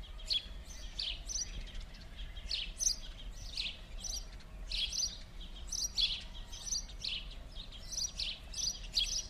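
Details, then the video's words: House sparrows at play in winter on a Montréal street in Verdun, 16 January 2016: bursts of harsh, overlapping chirps, several birds calling together in irregular clusters with steady low city rumble beneath. "Passer domesticus (moineau domestique) - jeux d'hiver"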